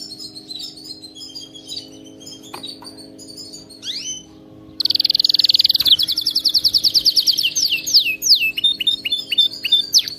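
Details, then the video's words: Canary singing, offered as training to get a pet canary singing without pause: quiet high chirps, then a sudden loud rapid trill of repeated notes, followed by descending slurred whistles in a quick series. "صوت كناري مذهل لتدريب وجعل طائرك الكناري يغرد بلا توقف canary singing training bird"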